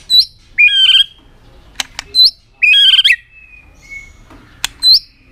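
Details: White-rumped shama singing aggressively to provoke other birds: high whistled notes and rich, warbling phrases in short bursts, separated by quiet gaps with a soft drawn-out note and occasional clicks.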